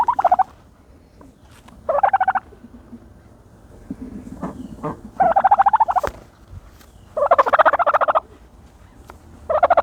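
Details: Turkey calling while dust bathing in dirt: loud bursts of rapid, rattling pulsed notes, each about half a second long, repeated every two to three seconds, with softer scratchy sounds between.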